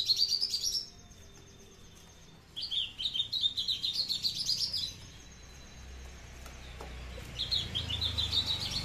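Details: A captive Horsfield's bushlark of the Papuan "aliena" type, kept low to stay tame, sings loud, high, rapid twittering phrases with no bass notes, in one- to two-second bursts broken by brief pauses.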